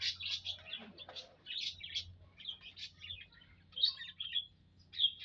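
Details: A mixed group of munias in an aviary, recorded in April: clusters of high, thin, buzzy chirps in irregular bursts from several birds, over a steady low hum.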